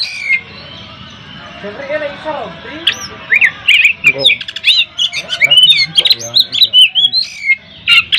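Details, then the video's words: Poci Oriental magpie-robin singing in ngobra style to agitate opponents: after a quiet start with faint low murmurs, a fast run of sharp, chattering notes and whistled upslurs builds to a steady rapid stream. "Kacer Poci Nembak Ngeplong Gacor Ngobra Bikin Lawan Emosi"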